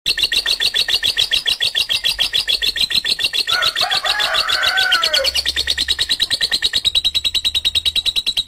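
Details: Lovebird giving a long, harsh ngekek chatter: fast, steady train of rasping pulses that runs throughout, with a lower, coarser downward-sliding call breaking in at mid-point.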